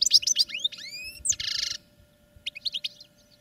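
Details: European goldfinch kept in a cage for song training, delivering quick tinkling notes, a series of rising slurred whistles, then a buzzy rasping burst, followed after a pause by a short twittering phrase; constant low hum in background.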